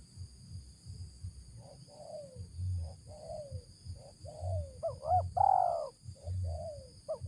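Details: Spotted dove drawn in by a decoy on a luring hunt, calling in the "ngeruk" style: a run of soft descending coos, then a louder doubled note and strong drawn-out coo, with low background hum.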